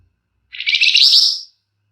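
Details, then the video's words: Flamboyan's emotional nyecret within long, dense gacor ngebren, a lure to get birds singing: a single rich, high, buzzy chattering burst of about a second that rises slightly toward its end. "Burung Flamboyan GACOR Ngebrenn RAPET PANJANG!! Nyecrett Emosi Cocok Buat Pancingan"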